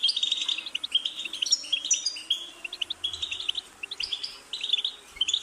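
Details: European goldfinch in full song, a lively run of tinkling, chattering notes and quick buzzy trills, flowing without break for several seconds.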